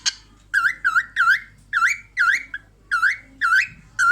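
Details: Female cockatiel watching herself in a mirror, laughing in a series of swooping whistled notes that dip then rise, spaced a little under half a second apart, in a quiet room.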